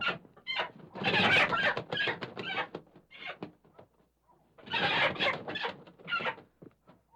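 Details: Chicken about to be caught in its coop, giving two loud bursts of harsh, raspy screeching cackles separated by quieter clucks and rustling, scuffling sounds.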